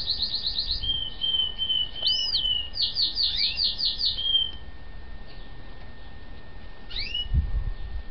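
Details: Several yellow-legged gull chicks in captivity, fully recovered a few days after reaching a home; rapid runs of high, piping peeps about five per second, a longer whistle, then after a pause two rising squeaks and a faint thump.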